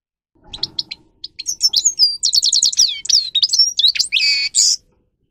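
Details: Grey-crowned goldfinch training song: a few opening chips, then a rapid, varied cascade of down-slurred whistles and sparkling twitters, ending in a scratchy buzzy flourish.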